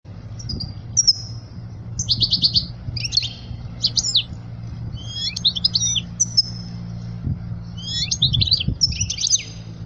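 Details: European goldfinch singing, a song meant for teaching young birds: scattered high, liquid twittering phrases with tinkling trills and short buzzy notes, separated by brief pauses, over a faint low hum.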